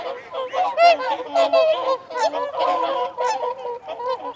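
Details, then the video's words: Whooper swans in a group trumpeting feeding and territorial calls, rising bugled notes stacked over a steady murmur of lower honks, loud throughout. "Whooper Swan. Feeding Calls & Territorial Calls"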